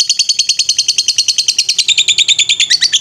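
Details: Lovebird singing in the 'ngetrek' style, a master recording for training birds: a fast, shrill chattering trill of sharp repeated notes, about seven per second, held steady throughout with rising, brighter notes near the end.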